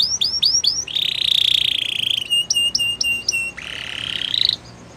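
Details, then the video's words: Gloster canary song with short repeated chirps, a long harsh buzzing roll, a row of clipped notes, and a second rising buzzy roll, over light background hiss. "Gloster Canary Singing | Canary Training Song"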